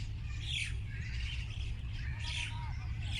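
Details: Birds giving harsh, raspy squawking calls in two broad bursts about two seconds apart, with softer chirps between and a low background hum.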